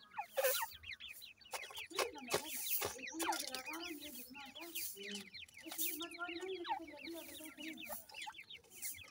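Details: Many grey francolin chicks calling together: rapid, thin, downward-sliding peeps packed closely, with sharp clattering noises and a low voice-like hum in places.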